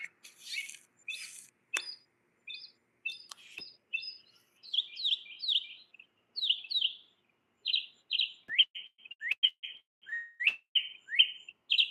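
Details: A mockingbird singing in a garden runs through a quick medley of varied phrases, with buzzy bursts, clear whistles and sharp chirps, repeating each motif a few times before switching.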